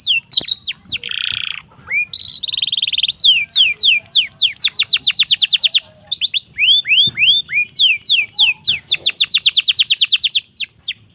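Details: Indonesian domestic canary singing a master song for training young canaries: varied loud phrases with a short buzzy roll, then long runs of sharp downslurred notes repeated about three per second, broken by brief pauses.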